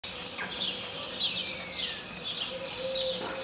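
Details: A European starling (Sturnus vulgaris) in Moldova sings a rambling, improvised, high medley of thin falling whistles, clicks and scratchy rattles without pause, with a faint steady hum underneath.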